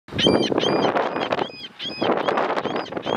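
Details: Laughing gulls at Siesta Key Beach, Florida, on February 10, 2017, call over each other in harsh, nasal, honking notes in two dense bursts, with a short lull between them and a broad rushing background.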